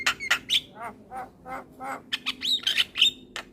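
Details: Male Javan myna calling companions, used to lure other mynas: short harsh squawks alternating with bright whistled chirps, a few notes per second.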